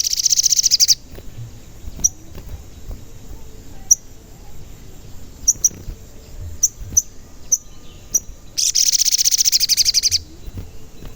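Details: Sogon song used as a lure to make sogon sing and get agitated: two loud, rapid, high pulsed trills, each about one to one and a half seconds long, separated by many brief sharp high chirps.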